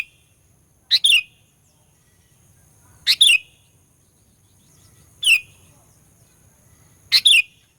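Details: Sooty-headed bulbul lure song, a lively 'gacor fighter' style meant to provoke rival bulbuls: four short bright two-part whistled phrases, each a quick rising note then a falling slur, repeated about every two seconds over a low background hum.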